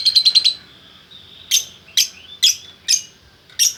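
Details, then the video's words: Male and female lovebirds kept as a pair in Bukittinggi, West Sumatra: a fast run of five shrill notes, a soft whistle, then loud sharp chirps repeated roughly every half second. "Burung Lovebird Jantan Betina Bukittinggi Gacor"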